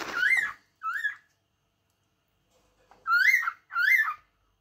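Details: Cockatiel giving harsh, ringing whistled notes that rise and then drop. Two notes come close together, then a pause of about two seconds, then two more. The background is quiet.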